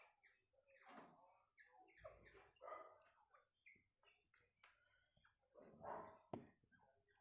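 Francolin giving harsh, grating squawks in irregular bursts, about one every few seconds, loud and raspy with a few softer clucks between.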